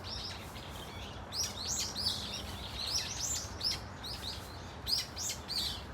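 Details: A flock of brown-eared bulbuls at Dunsan Grand Park gives varied calls: a steady run of harsh, squeaky chirps and screechy notes, several birds overlapping, over a low background hum.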